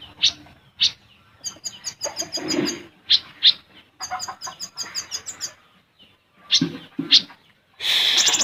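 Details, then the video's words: Olive-backed sunbird, a caged singer, with a busy, varied song of sharp high chips and rapid buzzy trills, broken by short pauses and ending in a loud harsh burst. "Burung Kolibri Ninja / Konin Gacor Full Besetan & Tembakan Rapat untuk Masteran ataupun Pancingan"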